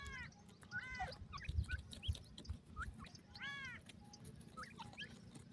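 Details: Grey francolin chicks feeding: clear rising, ringing calls with stacked overtones, some in quick doubled bursts, over a dense background of short high chirps and peeps from other birds and a low steady hum.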